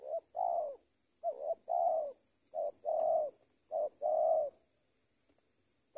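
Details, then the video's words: Mellow cooing from a trained spotted dove: paired notes, short then long and slightly wavering, repeated four times before falling quiet, with a thin high electrical whine throughout. "AJARAN PIKAT TEKUKUR SI BONGSOR KETEMU BL RAJA NGUKU"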